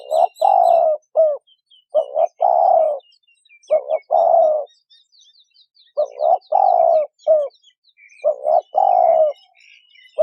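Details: Spotted dove female calling to excite a male, repeated cooing phrases of short paired notes, a long falling coo and a clipped end note, four phrases in ten seconds, with faint high chirps of other birds behind.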